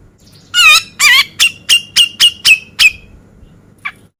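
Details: Vigorously singing male Grey-cheeked Bulbul, beset ngepik style, for training contest birds: two wavering, buzzy notes followed by six sharp slurred notes at even spacing, then a short isolated call after a pause.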